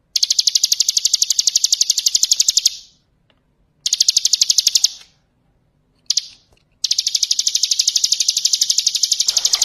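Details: Rapid ngebren-style song of a bar-winged prinia, meant as training song for other birds. Bursts of fast, high, ticking notes repeated about four times a second are separated by short silences.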